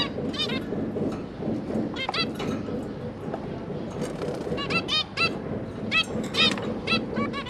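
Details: Busy zebra finch household, 5 September 2022, with parents feeding three young juveniles: rapid, overlapping nasal toots and beeps, roughly two per second and irregular, over a steady broadband rumble.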